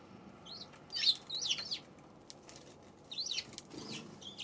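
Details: Eurasian tree sparrow chirping on 7 February, with short, high, twisting notes in two loose bursts and a steady soft rumble underneath.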